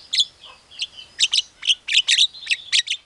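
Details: Javan myna mimicking calls, including a hen calling chicks, a pied starling and a hungry civet, in sharp high chirps and clipped whistles, about three bursts a second, over a thin sustained whistle.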